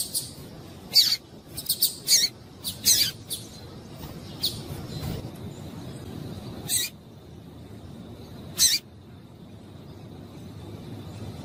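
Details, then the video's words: A female double-collared seedeater calls to get males singing, giving a burst of sharp, high, clipped chirps in the first few seconds, then only two isolated ticks among long quiet gaps and faint steady hiss. "Piado de Fêmea de Coleiro para Esquentar Coleiro"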